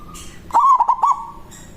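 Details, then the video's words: Local zebra dove, a strong-voiced rival-calling lure bird, utters one manggung phrase: sudden onset, several quick pulsed coo notes at an even mid pitch, trailing into a soft held tail. "Perkutut lokal Suara Besar Ampuh memanggil lawan Bunyi manggung Langsung Nyaut"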